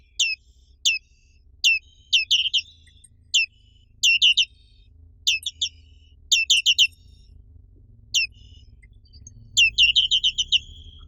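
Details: Black-capped white-eye, a species found only in Indonesia, giving high, sharp downward-slurred chirps, singly and in rapid clusters of two to four, ending with a fast trilled run; faint low background rumble.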